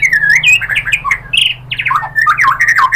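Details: White-rumped shama song played to provoke other shamas: harsh, squawky varied phrases mixed with quick slurred notes, loud and continuous throughout.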